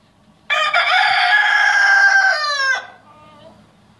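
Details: Rooster giving one long, loud, high crow lasting over two seconds, steady and strained, ending in a falling, breaking note, followed by faint background murmurs.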